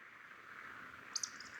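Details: Eurasian woodcock roding at dusk over heathland at Hazeley Heath, keeping to its flight path and passing almost directly overhead. A quick pair of thin, high squeaks near the end, over a steady background hum.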